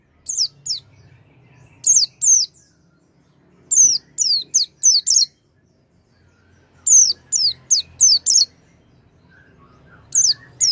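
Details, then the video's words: Oriental white-eye lure for a bird that has gone quiet: short phrases of two to five high, falling chirps separated by silent gaps of one to two seconds, with clean background. "pancingan pleci macet bunyi dengan suara ini"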